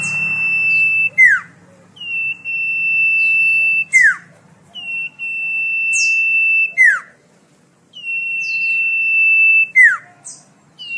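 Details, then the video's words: Common iora song used for tutoring caged songbirds: long steady high whistles, each ending in a sharp downward slur, repeated about every two to three seconds in a clean, quiet setting. "Suara merdu burung cipoh/sirtu/sirfu"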